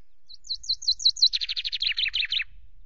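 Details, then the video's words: At Loch Garten on a May evening, a chaffinch on the camera perch delivers a full strophe: around six high, upward-flicked notes, then a quick, descending cascade of buzzy notes ending abruptly, with faint low rumbling beneath. "Chaffinch preened and sang on the cam perch"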